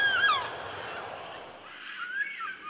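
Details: Yellow-tailed Black Cockatoo (Calyptorhynchus funereus), large Australian forest bird, gives a long, mournful wail sliding downward, then a second rising, drawn-out cry near the end.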